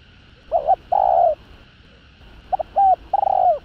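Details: Spotted dove coo and call phrases meant to provoke rival males: a short double note and a long coo, then after a pause a fuller phrase of two quick notes, a held note and a long falling coo.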